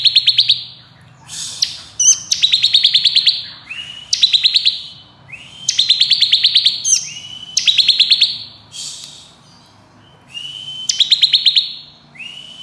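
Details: Bar-winged prinia, crystal type, singing in the fast, dense ngebren nembak style used as a tutor song for competition birds: a rising slur leading into rapid buzzy pulsed trills, phrases repeated every one to two seconds, with faint low hum.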